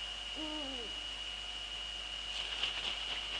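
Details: Eurasian eagle-owls in the Netherlands on 2 February 2013 at 19:15, female at the nest with the male nearby: one deep hoot falling in pitch early on, faint, under a steady high whine.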